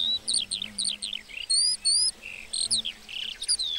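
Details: Lark singing in a meadow: clusters of quick descending chirps broken by a few longer clear whistled notes and a short buzz, lively and high-pitched.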